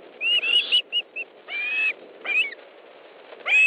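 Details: Osprey at its nest in Estonia on 1 August 2013 at 14:41, during a fish delivery: short whistled chirps, some in quick pairs, separated by pauses, with a longer whistled call near the end.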